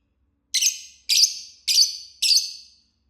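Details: A lovebird chirps four times in quick succession, each call a loud rasping screech with a sharp onset and fading tail, about half a second apart, with no other sounds.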